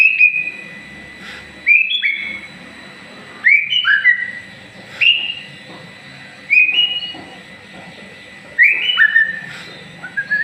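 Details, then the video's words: White-rumped shama, a promising contest bird, singing while growing new feathers during moult: clear whistled slurs falling and rising, in short bursts about every two seconds with quiet gaps between, over a faint steady hum. "burung murai baaatu calon jura. semngat menhdapi bulu baru"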